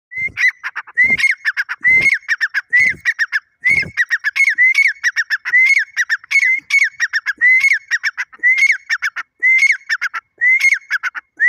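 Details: Grey francolin of the Irani dakhni type calling: a fast, uneven series of short, harsh, squawking notes that bend down at the end, with a few low knocks during the first four seconds.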